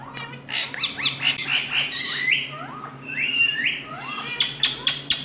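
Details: Loud Indian ringneck parakeet calling: a fast run of sharp chirps and squawks, then a series of upswept harmonic calls, ending in clipped, bursting notes, with a faint constant hum beneath.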